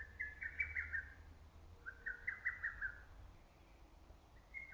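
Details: Faraway lesser cuckoo in green early-summer forest: two hurried phrases of several whistled notes, plus the start of a third, heard through background hiss.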